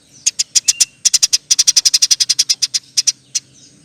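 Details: House sparrow in lively nyerecet chatter: a fast string of dry, rasping clicks, uneven in pace, that runs almost unbroken for about three seconds.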